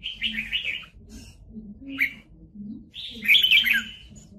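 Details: Red-whiskered bulbul, a trapped decoy bird singing in a fighting contest: two bursts of bright warbled phrases with a short high note between, over low mechanical hum.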